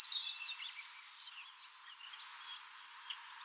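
An American redstart gives very high, thin notes: a sharp opening burst, then a quick run of five downslurred notes in about a second. No other sounds stand out.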